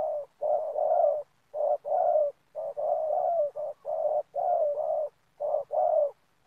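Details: Repeated low, throaty cooing of a spotted dove used to lure wild doves for trapping in an oil palm plantation. Phrases of rolling coos come in quick succession with short gaps, fairly steady in pitch.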